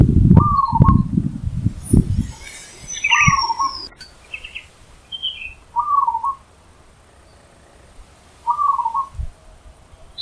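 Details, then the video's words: Wild zebra dove (perkutut) singing loudly: four warbled, trilled coo phrases near one pitch, each about half a second, repeated roughly every two and a half seconds, with low thumping noise at the start and faint chirps of other birds. "Perkutut Di Alam Bebas Suara KERAS Menghentak"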